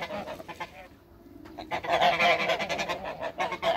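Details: African and Toulouse geese on a farm call in rapid, ragged honks. A brief quiet moment gives way to a dense run of loud, nasal honking from several birds.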